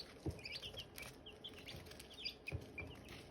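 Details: Silkie chicken chicks and hatching eggs: busy chirping of brief, high, falling peeps from several sources, mixed with occasional low thumps and soft clicking.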